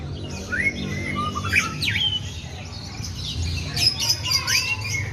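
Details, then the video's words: White-rumped shama singing a sooty-headed bulbul imitation: scattered rising whistles and sharp high chirps spread through the phrase, with steady low background noise. "Suara Emas Burung Murai Batu ll Murai Rasa Kutilang"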